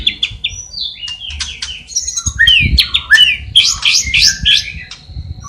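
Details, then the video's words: White-rumped shama in vigorous song stuffed with imitations of sparrow, fighting lovebird and kapas tembak. Quick sequences of short whistled notes and sharp chips jump in pitch, with a low rumble behind. "Murai Batu Gacor Isian Gereja Tarung Love Bird Kapas Tembak Cililin"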